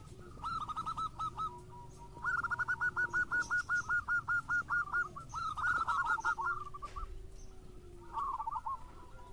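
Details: Actively singing local zebra doves, a lure to set other doves singing: long, rapid runs of even, high cooing notes, several birds overlapping, over steady background hiss and a low hum.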